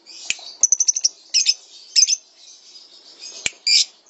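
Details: High-pitched lovebird chatter from a training recording for songbirds: a quick run of six sharp chirps, then scattered buzzy squeaks and a loud harsh burst near the end.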